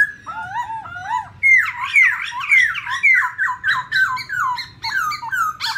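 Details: Black laughingthrushes, a female with her "ro ro" voice and a male, used to excite other birds into song. Soft paired whistles open, then a fast series of clear descending slurred notes, about two each second.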